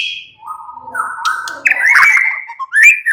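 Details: White-rumped shama (murai batu) singing: a steady mid-pitched whistle that jumps upward into brighter, louder whistled phrases, then ends with short rising notes.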